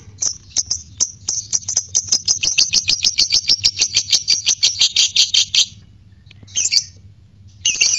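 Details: Fighter lovebird's ngekek used to spark courtship mood and song; opening chirps run into a long, quickening, high buzzy trill for over five seconds, followed by a gap and two short harsh bursts.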